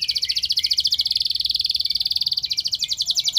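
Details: Canary song used as a lure to prompt other canaries to sing, long and loud: a fast, steady buzzy trill of high rapid notes held for several seconds, shifting slightly in pitch partway through.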